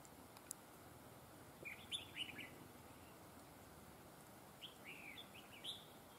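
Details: Red-whiskered bulbul recorded during bird trapping, described as having a very fine voice with a double linked voice: short bright chirpy phrases in two bursts, around two seconds and again near five seconds, over steady hiss.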